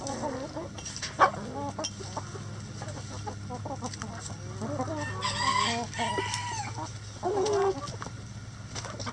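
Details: Crowing rooster in a chicken coop among clucking, feeding hens: one sustained, strained crow of about a second, then a shorter crow-like burst, with scattered clucks and pecking around it and a constant low hum.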